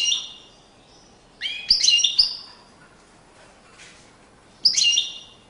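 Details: European goldfinch in courtship display, delivering short bursts of sharp, bright twittering notes separated by pauses of a second or more, in a quiet setting.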